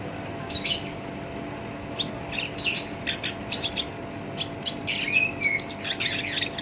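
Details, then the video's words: Black-browed reed warbler with a rough voice, used as a lure, gives irregular bursts of harsh chips and a few short whistled slurs, quickening toward the end, over a steady hum. "SINCHAN (KERAK BASI ALIS HITAM) GACOR POL, SUARA KASAR COCOK BUAT PANCINGAN GACOR LANGSUNG NYAMBER"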